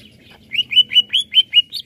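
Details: Greater green leafbird in full song, played to excite other birds: a short run of seven clear, high whistled notes, each rising then falling, spaced evenly about a fifth of a second apart.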